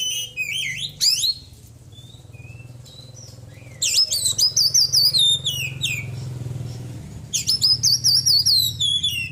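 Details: Caged white-breasted Oriental magpie-robin after its moult, delivering bursts of rapid, trilling, buzzy high notes in two loud outbursts separated by a few soft whistles and a long quiet gap.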